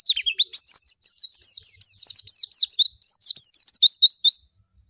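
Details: White-eye, locally called pleci or kacamata, singing a rapid, continuous twittering song of high, wavering whistled notes with quick upward and downward slurs, nearly unbroken for four and a half seconds before stopping; no other sounds.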